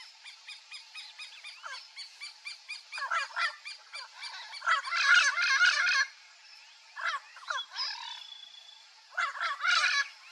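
Turquoise-fronted parrot giving rapid, harsh, nasal squawks and chattering notes in bursts, with brief pauses between bouts; outdoor ambience behind.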